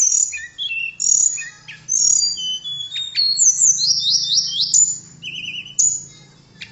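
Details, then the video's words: Blue flycatcher, called tledekan, delivering a varied song of short whistled phrases at shifting pitches, with rapid descending slurs and a brief buzzy trill; meant as a model song for training birds. "Kicauan Merdu TLEDEKAN Keren Buat Mastro Voice Tledekan Gacor"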